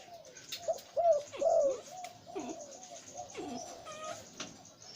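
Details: Breeding male zebra dove of the หลิ่วตัน type with a deep voice, giving a pair of rolling, downward-curving coo notes, then softer trailing coos in the background.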